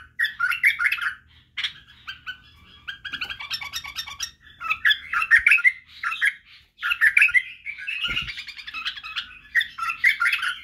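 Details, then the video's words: Song for teaching bulbul chicks to sing, barwaz and wing-click, by a white-eared (badrawi) bulbul; irregular bursts of scratchy warbling and chatter with pauses, plus a dull thump late on. "لتخريج وتعليم افراخ البلابل على التغريد و البرواز وطك الجناح بلبل بدراوي"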